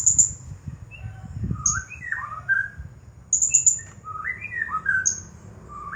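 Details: Champion Blue-crowned hanging parrot singing nonstop in the 'nagih hutang' style: very high, thin, sharp chirps in short rapid clusters, alongside lower slurred, rising and falling whistles and a soft low rumble.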